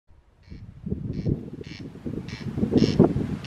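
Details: Corn crake, heard but never seen, near a hostel on Colonsay: dry, rasping crex notes repeated roughly every half second and growing louder, over a steady low rumble of wind or distant traffic.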